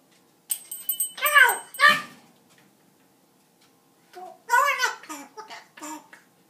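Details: Pet parrot talking indoors to the household dogs: a short burst of speech-like syllables with stacked harmonics, a pause, then a longer run of chattering word-like phrases.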